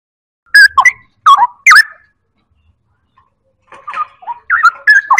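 Straw-headed Bulbul giving loud, rich, gurgling whistled phrases in two bursts, rolling up and down in pitch with a short pause between.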